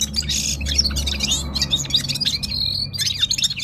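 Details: Gulsar from Parachinar in the Himalaya in full song, a short burst of fast chattering and sharp chirps, bright and high-pitched, over a steady low background rumble.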